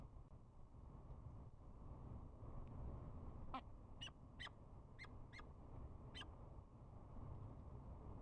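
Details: Courting peregrine falcons in spring, bowing and chupping: after several quiet seconds of rumbling noise, a burst of about six brief, clipped chup notes comes in quick succession, then one more.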